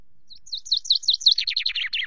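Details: Chaffinch singing from a camera perch at Loch Garten on 24 May near 17:02 while preening. Several sharp, evenly spaced high notes run into a fast, tumbling trill that keeps going to the end.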